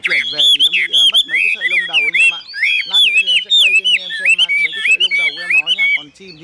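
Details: Tame caged Chinese hwamei singing high and strong, 'cao cầu' style: a dense run of rich, warbled whistles with wavering, looping phrases that barely pause across the whole stretch.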